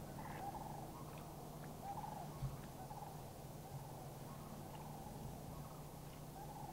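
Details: Three Sandhill cranes, likely a family of two adults and a juvenile, in Far North Bicentennial Park, Anchorage, Alaska, on 1 May 2011, give rolling, trumpeting calls about every second, answering a flock of cranes flying past, over a steady low rumble.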